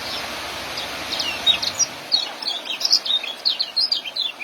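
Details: Young white-eye's ngeriwik and joss song, meant as masteran for training caged birds: low background noise at first, then quick, thin, chattering notes repeated several times a second.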